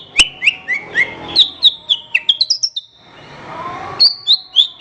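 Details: Horsfield's bush lark song used for schooling other birds: quick downward-slurred chirps descending in steps, then a rising flurry of high notes, a pause with faint hiss, and a fresh high falling series.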